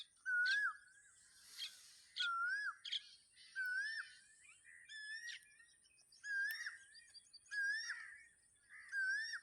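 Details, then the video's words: Wild black francolin, known locally as Sindhi teetar, calling in nature: a steady series of phrases about once a second, each a curved, slurred whistled note with sharp, scratchy higher notes alongside. Other faint bird chirps behind. "Sindhi Teetar Sound 2026 | Black Francolin Calling in Nature"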